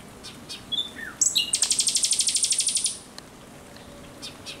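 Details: Night-singing Common Nightingale, 17 May 2023: a short upward whistle, then a rapid, high, buzzy trill of even pulses lasting about a second and a half, followed by quiet.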